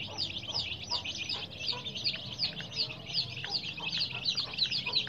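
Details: Flock of coloured baby chicks keeping up rapid, piercing peeps, nearly three a second, in a thick, unbroken chorus with light low hum.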